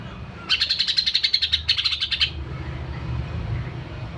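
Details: Greater green leafbird of the Kalimantan type singing in the wild, a single fast burst of bright, rapidly repeated chattering notes for nearly two seconds, then quiet with a low background hum.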